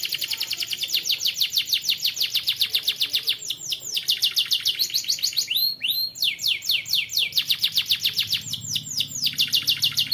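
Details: Young canary singing persistently: fast rapid-fire trills of repeated high chirps, about three to four notes per second, with brief buzzy rolled phrases; used to train other canaries to sing.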